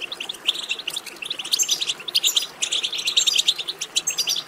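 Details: Goldfinch betbeta chatter for stimulating singing: a busy, unbroken stream of rapid, bright chirps and jingling trills, growing fuller and louder after the first second.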